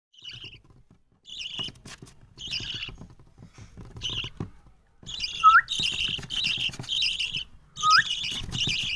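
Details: Baby parrot reacting to its owner's voice: short, harsh, raspy chirps in uneven bursts that grow louder and more frequent, with brief rising whistled notes mixed in.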